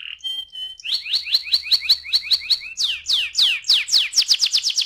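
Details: Canary delivering ngeroll rolling song as a singing lure: a few short piping notes, then a quick even trill, then loud falling sweeps that speed up into a rapid rolling burst.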